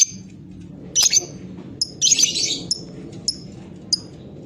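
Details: Two loud, harsh lovebird chatter bursts followed by sparse single high ticks about once a second, with a soft low hum throughout.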